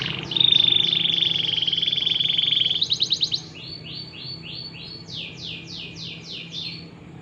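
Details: Canary in full song, used to stimulate other canaries to sing: a long pure whistled note, a rapid rattling trill, then phrases of soft sliding notes and louder falling sweeps.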